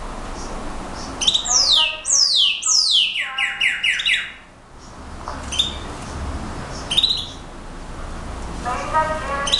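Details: Brown-backed solitaire song: several steeply falling flute-like slurs, then a quick series of ringing repeated notes, followed by quieter scattered notes and a final soft burst of chattering.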